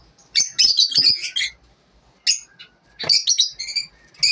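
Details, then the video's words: Lovebirds calling in the morning, a harsh burst of shrill chirps, a single squeak after a pause, then another rasping run of high, rapid notes. "lovebirds morning 🌅 natural sound"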